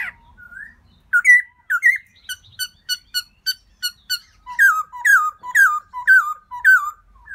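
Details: Black-throated laughingthrush in spring, calling out for a new mate: a run of clear, whistled notes, each rising then dropping, repeated about every third of a second and growing louder and richer toward the end. No other sounds.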